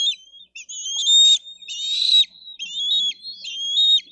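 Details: Bald eagle eaglets at a nest in Dade County, 22 May 2023, screaming and fighting over a fish brought by a parent; high, thin whistled squeals with shrill chittering bursts, steady and fairly loud.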